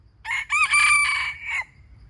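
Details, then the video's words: Wild chicken crowing: a short harsh opening note, a brief gap, then a long strained cry held level, ending in a falling tail, about one and a half seconds, over faint low rumble. "How good calling of wile chickens"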